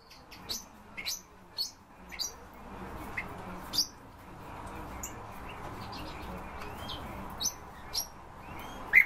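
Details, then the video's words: European bee-eaters utter high, sharp chirps spaced about half a second to a second apart, fading midway and returning toward the end, over quiet background noise. "Merops apiaster- золотые щурки"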